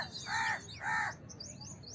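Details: House crow giving two drawn-out nasal caws in close succession, followed by thin rising chirps of another bird.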